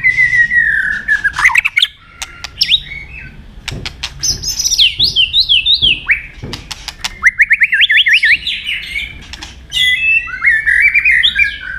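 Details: Fighting song of a white-rumped shama, meant to rouse and train other birds. A varied, loud medley of falling whistles, zigzagging trilled phrases and rising and falling warbles, punctuated by sharp dry clicks between phrases.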